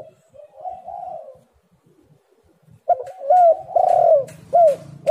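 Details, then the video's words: Spotted dove cooing as a lure to get reluctant birds calling: a quiet hollow coo, a short pause, then a loud run of mellow, bending coo notes with a faint low hum behind. "tekukur super gacor Suara HAS pancingan untuk burung yang malas bunyi"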